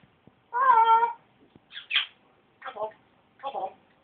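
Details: Pet parrot, covered over for a few minutes to stop it throwing its food, still chattering under the cover: a drawn-out harmonic squawk, then three short, voice-like chattering bursts in a small indoor room.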